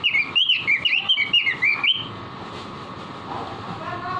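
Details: Lively robin song (gacor) used as masteran, a tutor recording for caged birds: a fast run of clear, looping whistled notes for two seconds, then it stops, leaving background hum and faint murmuring.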